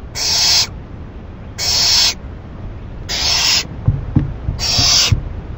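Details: ['Owl at 11:30 PM on 28 May 2012 after a rabbit is delivered as food: four harsh, breathy hisses about half a second each, repeated roughly every 1.5 seconds, with soft tapping near the end.']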